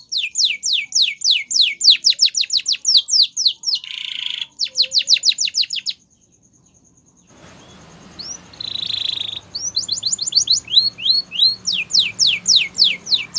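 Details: ['Canary training song: fast runs of sharply downslurred whistled notes, a buzzy trilled roll, a silent break of about a second and a half, then a softer burry phrase and renewed quick sweeping notes.']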